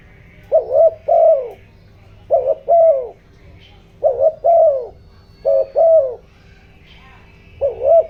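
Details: Spotted dove lure bird, giọng đồng voice, cooing to provoke wild doves: five paired phrases at steady intervals, each a short wavering note followed by a sustained, falling low coo; faint background sounds.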